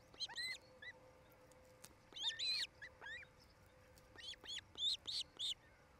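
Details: Osprey couple nesting in Charlo, Montana, on a nest camera, evening of 8 July 2018: loud, high slurred whistles with bending pitch, delivered in uneven clusters, sometimes doubled, over a faint background hum.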